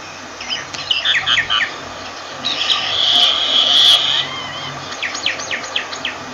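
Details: Myna heard at moderate distance with a few short chattering notes, a long rough hissing screech carrying a thin rising whistle beneath it, then sharp scattered chirps.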